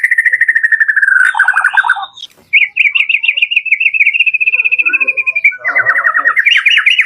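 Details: Full-variation 'door' lure song of the white-rumped shama, for stimulating pet birds to sing: steady fast trill, lower rattling notes, then a high warbling trill and a rising looped phrase, with faint soft sounds underneath.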